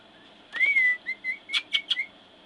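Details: A 10-month-old male cockatiel on his play gym, on 14 October 2007, gives a rising whistle and short chirpy notes, copying the word "hello" right after his owner says it.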